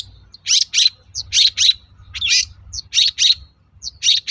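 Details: Long-tailed shrike singing as a lure for other shrikes to reply, repeating harsh, scratchy double notes in steady pairs, a faint low hum underneath.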